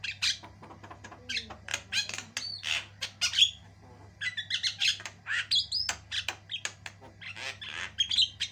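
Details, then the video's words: Energetic varied song from a white-eyed Javan myna: quick trains of dry clicks and squawks punctuated by slurred whistles, a brief lull, then more dense chatter, with a constant low hum throughout. "JALAK KEBO MATA PUTIH GACOR PARAH"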